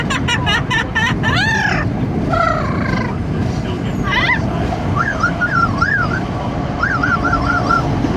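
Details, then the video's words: Pet parrot riding in a car gives a series of loud, wavering, siren-like whistles and rising squawks over heavy rushing wind and road noise. "Parrot riding in car, making noise in the wind"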